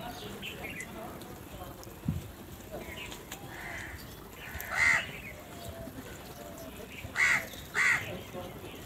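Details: Huge numbers of crows crowding together while fighting for food, with three loud separate caws spaced a few seconds apart over a background of softer calls and outdoor murmur.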